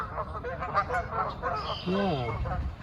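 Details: Canada geese coming in at Jericho Park, Vancouver, in early March 2021 at the start of the breeding season give a run of nasal, rising-and-falling honks, one after another, with a man speaking over them.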